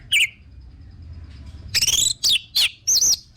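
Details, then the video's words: Brief orange-headed thrush song offered as a lure for singing birds: a single sharp note, a quiet gap, then four loud, looping whistled phrases in quick succession. "PANCINGAN BURUNG ANIS MERAH BIAR TELER DAN GACOR"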